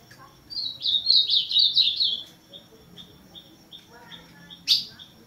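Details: Ultramarine grosbeak, azulão, delivering a loud warbled phrase of slurred whistled notes, followed by a run of short soft repeated chips and a sharp click near the end.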